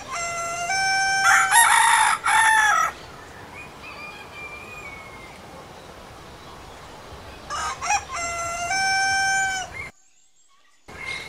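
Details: A rooster crows twice, each crow a stuttered start followed by a sustained bright cry, with a long stretch of rustling outdoor background between the crows and a faint thin whistle-like tone.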